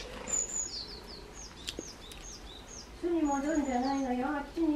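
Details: Fledgling chickadee chick, one of six raised in a hanging lantern nest and just out of it in June 2017, gives a quick run of thin, high, down-slurred notes, about three a second, before a person's voice speaks over the end.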